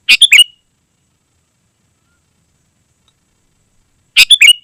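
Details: Sooty-headed bulbul in gacor singing, used to call wild birds and as a tutor for caged ones. Two short bubbly phrases ending in a clear whistled note, about four seconds apart, with silence between.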